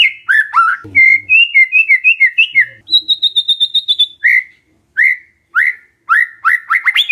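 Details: Lure song of a white-rumped shama, meant to get a silent shama answering: rich fluting whistles, a steady high trill near the middle, then spaced rising whistled notes.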